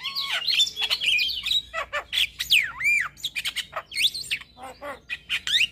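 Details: Energetic morning song of a male Javan myna, rich in fill-in phrases: squeaky whistles sliding up and down, nasal squawks and sharp ticks tumbling one after another.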